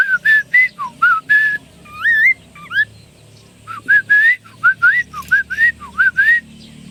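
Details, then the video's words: Chinese hwamei delivering bright whistled phrases: repeated upslurred notes, a brief twisting warble, then steady rising whistles roughly every half second over a low hum. "Suara burung Poksay Mandarin gacor terbaru"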